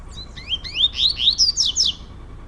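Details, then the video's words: Captive male Double-collared seedeater of the trovoada song style, indoors, singing against a rival male; a quick run of slurred, rising whistled notes that climb steadily higher, ending in bright high slurs. "COLEIRO TROVOADA X MANCHINHA"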